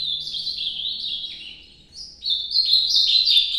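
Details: Ultramarine grosbeak singing the Nordeste song: clear warbled notes stepping downward, a brief soft dip, then a louder, brighter run of quick rising and falling phrases.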